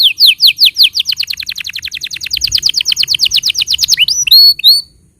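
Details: Tutor song of a canary, meant to teach juveniles and coax silent birds into singing. A rapid, even train of bright downward-sweeping whistles, about three per second and speeding up, ends in a few high rising whistled notes.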